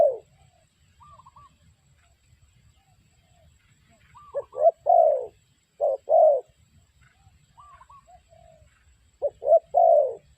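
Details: Spotted dove kept as a trapping decoy gives scattered low coo phrases ending in longer rolling croos, separated by quiet gaps where faint higher whistles of another bird are heard.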